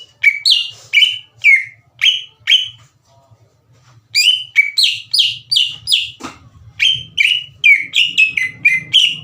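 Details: Greater green leafbird singing hard, a lure to provoke other leafbirds: strings of loud, clear, falling whistles, paused once, then resuming faster with tightly packed repeated notes and brief chatter near the end.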